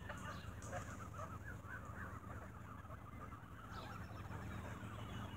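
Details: Geese fed bread in the evening, squabbling: many short, clipped honks chatter together throughout, with a low steady rumble underneath.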